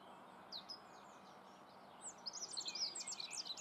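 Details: Rock bunting in the Moselle valley, Germany: a few thin, high notes, then a quick run of sharp, high-pitched chirping twitters over a steady background hiss.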